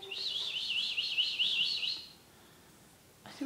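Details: An excited male pet budgerigar indoors, coaxed by its owner to step up and land on a hand, gives a rapid, warbling run of high chirps for about two seconds, then falls quiet before a brief indoor noise.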